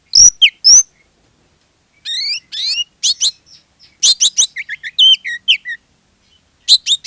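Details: Oriental magpie-robin in vigorous song used as a lure to set other magpie-robins singing; sharp high whistles, buzzy rising notes and rapid chattering bursts with brief pauses.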